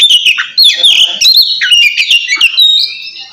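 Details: Rapid, dense song from an Oriental magpie-robin in ngeplong style, calling a rival: continuous loud whistled warbling with quick up-and-down slurs and short buzzy rasps, no pauses.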